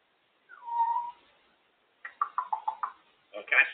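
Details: African grey parrot, a female, talking on top of her cage: a drawn-out whistled note, then a quick run of six short voiced syllables and a final louder burst.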